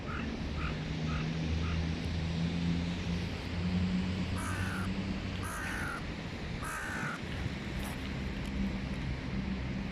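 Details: A clan of hooded crows arriving noisily give three loud, harsh caws about a second apart, over a steady low hum of traffic or machinery.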